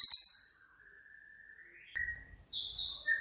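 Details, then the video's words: Cililin in rapid 'tembakan' style, a training master for songbirds: a brief shrill trill burst, then a long thin level whistle that rises at its end, followed by higher whistled notes over faint low noise. "BURUNG CILILIN COCOK UNTUK MASTERAN"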